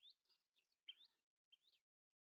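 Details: Common tailorbird (Orthotomus sutorius) gives four sharp, high chirps in under two seconds, several sweeping upward, with a brief pause before the last.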